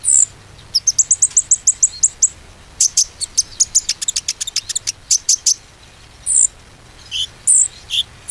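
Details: Lure recording of konin song meant to make stalled birds sing again: a run of quick high chirps, then a loud burst of sharp ticking notes, ending with scattered squeaky whistles.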